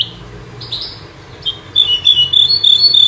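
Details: Common nightingale, called bouh zarhouni or menyar, a bird that sings both day and night. A few soft notes lead into a fast run of bright, repeated high whistled notes that fills the last half.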